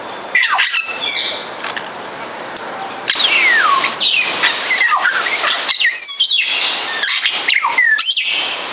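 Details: At Warsaw Zoo a Congo African grey parrot, Psittacus erithacus erithacus, produces a busy run of varied whistles, chirps and falling slurs, several each second, with a rushing hiss underneath.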